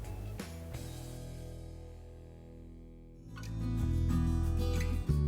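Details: Guitar music with plucked and strummed strings over a steady low bass, growing louder in the final two seconds, with no animal calls.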